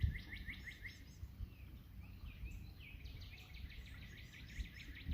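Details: Two competing Northern Cardinals on a cool, sunny April 19 morning at about 46°F sing clear, rapidly repeated slurred whistles, one answering the other, over a steady low outdoor rumble.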